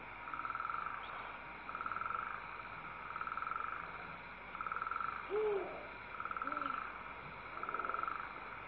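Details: An owl mother feeds her chicks on 19 December 2012. The chicks give steady breathy hisses, each about a second long and repeating every second or so, and the father gives a couple of short low "hoo" hoots partway through.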